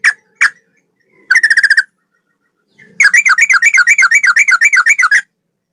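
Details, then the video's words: A male sooty-headed bulbul sings long rapid phrases in the manner of the straw-headed bulbul, for training songbirds: two separate notes, a short fast trill, then a sustained rolling trill of rising-falling whistles for over two seconds. "Masteran burung trucukan Rasa cucak rowo"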